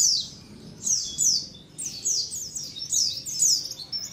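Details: White-eye colony calling as bait for wild white-eyes. Thin, high descending tweets overlap almost continuously in a busy chattering chorus.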